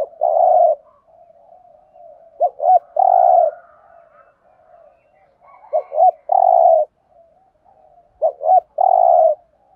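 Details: Decoy 'thúc gù' coo of a spotted dove, Thổ voice, used when trapping birds: low mellow phrases, each a double clipped note then a held coo, coming about every three seconds with quiet murmuring in the gaps.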